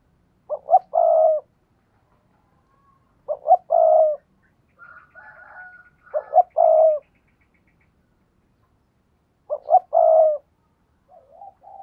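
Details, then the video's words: Spotted dove calling to entice wild doves. Four coo phrases roughly three seconds apart, each two short notes and then a longer hoot, with faint higher chirps and soft wavering notes between them. "tiếng cu gáy thúc bổi"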